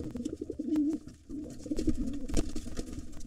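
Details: Wild pigeons at a nest holding two nestlings, where a gray intruder tries to take over and the white father fights it off; low, throaty coos repeat in quick bursts with wing flaps and scuffling thumps in a small enclosed space.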